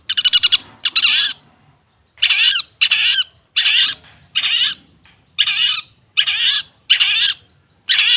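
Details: Long-tailed shrike (cendet or pentet) recording used as a pancingan 'therapy' sound to prompt caged birds that have stopped singing. Harsh, buzzy, broadband bursts repeat about every 0.7 seconds, starting with a quick rattling stutter, with no other sounds.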